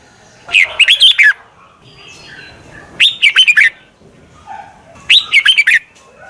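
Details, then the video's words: Red-whiskered bulbul calling as a decoy for wild birds: three lively phrases of four to five quick warbled, rising-then-falling notes, about two seconds apart, with soft faint notes in between. "Tiếng chào mào mòi chuẩn gọi chim bỗ nhanh về"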